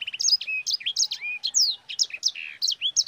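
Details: Sanger cage bird, used to train other birds, delivering a lively rolling song: dense, rapid sequence of bright chirps, sweeping whistles and a brief buzzy note, with no pauses.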